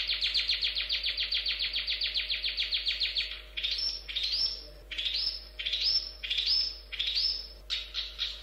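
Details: Long-tailed shrike delivering a fast, even train of about twenty-five sharp chirps over three seconds, followed by scratchy rising buzzes repeated roughly once a second. A constant low hum is audible.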